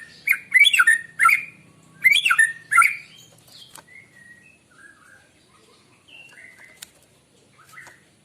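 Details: White-rumped shama in the morning, used to lure birds: loud, rich warbled phrases of mixed chirps and whistles, then a long stretch of soft, quiet fluted notes.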